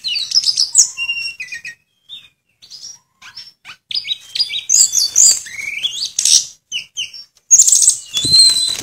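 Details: Tledekan, also known as sulingan, a bird that copies other birds' notes, singing a dense 'nyuling' song full of 'isian' fill-ins: jumbled high chirps, trills and short whistles, with noisy bursts like wing flutters.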